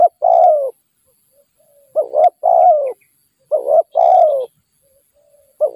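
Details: Spotted dove calling during trapping with a decoy, its low throaty phrases made of a short rising double coo and a long falling croo, with faint soft coos between phrases.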